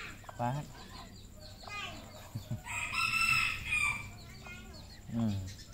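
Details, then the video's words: Red junglefowl on a farm in Cambodia: a loud, harsh, strained crow lasting over a second, rising then tailing off. Low voices or grunts sound before and after, with faint chirping in the background. "red junglefowl farm Cambodia"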